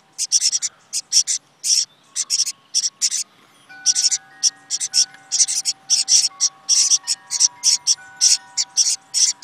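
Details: Six or seven nestlings crammed into a birdhouse, chirping while they wait for their mother to come and feed them: bursts of high, buzzy chirps repeated rapidly in quick pulses, with faint steady tones underneath.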